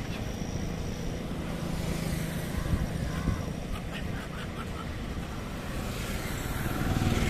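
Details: Steady road traffic rumble with passing vehicles and faint distant voices; no animal calls can be picked out.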